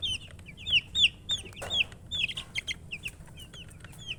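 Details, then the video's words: Baby chicks chirping: many high, thin cheeps in quick irregular succession, short rising-falling peeps overlapping from several birds, with a brief soft thump midway. "Baby "Chicks Chirping" Sound"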